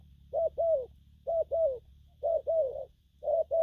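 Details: Four quick pairs of deep soft coos from a young spotted dove singing gù phóng and gù lăn, each pair about a second apart.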